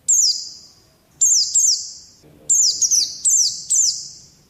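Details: Pet-bird training recording of an Oriental white-eye: sharp, high descending chirps with lingering resonant tails, first single, then paired, then a quicker string of four, with brief quiet spells between bursts.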